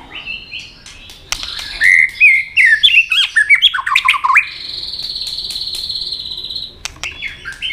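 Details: Fired-up white-rumped shama in fight-song: rich varied phrases of rapid slurred whistles and warbles tumbling up and down, followed by a long even high-pitched buzz and a few sharp clicks.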